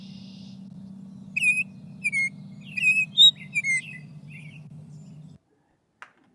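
Baltimore Oriole song: about seven clear, flute-like whistled notes, some paired and slurring downward, over three seconds, above a steady low hum.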